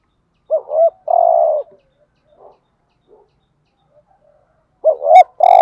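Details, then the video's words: Spotted dove in the 'thúc gù' cooing style used as a lure for wild birds: a low two-part note and a long even coo, a pause with faint soft sounds, then the phrase starts again. "Tiếng chim cu gáy THÚC GÙ bài bản giúp bổi nhanh nổi/ bổi nghe xiêng gáy cả ngày"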